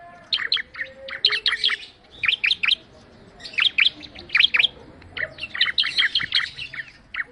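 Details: Bar-winged prinia (ciblek) giving a lively song of quick clustered high chirps in repeated bursts with brief pauses, fairly continuous through the recording.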